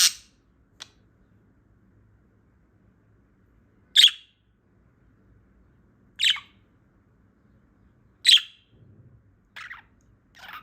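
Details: Female budgerigar, just woken up in the morning, gives sparse short harsh chirps spaced about two seconds apart, with long quiet gaps between them.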